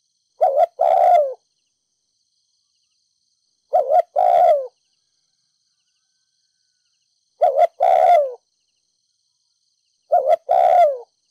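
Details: Spotted dove of Ninh Thuận, 'mồi đất' decoy-stirring bird, repeating 'thúc gù' phrases roughly every three seconds: four phrases, each a fast two-part hoot then a longer coo sliding downward, no other sounds.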